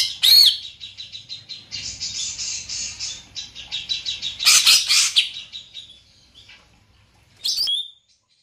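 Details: Greater green leafbird, described as large-bodied with a loud, carrying voice: a sharp high note, then a fast chattering run of bright trilled notes, a loud buzzy burst near the middle, and a short final note.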